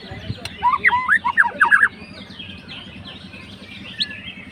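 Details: Murai batu (white-rumped shama) fighter goading an opponent: one brief burst of quick rolling whistled notes, then quiet with faint distant chirps over a low hum.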